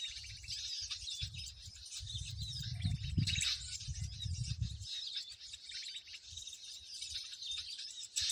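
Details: Lure recording for trapping birds with sticky lime, a constant mass of high-pitched chirps and twitters from numerous birds, with a burst of low rumbling handling noise in the first half.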